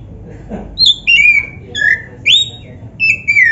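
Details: Black-breasted Oriental magpie-robin in lively song meant to set other magpie-robins singing: crisp whistled notes that dip and rise in a bouncing sequence, with a soft low thump just before the first phrase.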